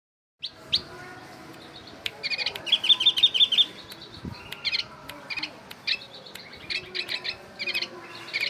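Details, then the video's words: Oriental white-eye imitating a bulbul: bursts of high, thin chirps and fast rattling trills, with one rapid trill run in the middle and irregular sharp notes about three per second. "Burung pleci berbunyi kutilang"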